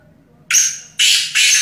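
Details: Black francolin, called kala teetar or Sindhi teetar in Hindi, giving three loud, harsh, grating bursts in quick succession, each broad and hissy, with a short pause between them.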